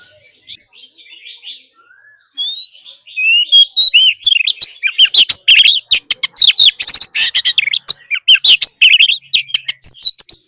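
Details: Oriental magpie-robin singing in forest style during daily song training: soft, scattered notes at first, then a long loud stream of rising whistles, sharp chirps and rasping trills.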